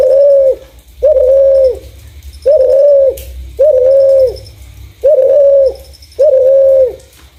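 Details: Spotted dove (terkukur) giving a clear call suited as a lure for other doves: six low, steady, even-pitched coos, each about half a second long and spaced roughly a second apart, with faint high chirping behind.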